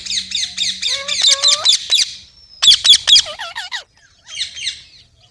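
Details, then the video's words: Green parrot calling: a fast string of rasping squawks, some mixed with clear tonal notes, a short pause, then another burst of harsh squawks with wavering tonal syllables, and a final quieter squawky phrase. "Amazing Parrot Talking Sounds Videos | Parrot Voice| Mitthu Ki Awaaz | Parrot Ki Awaaz"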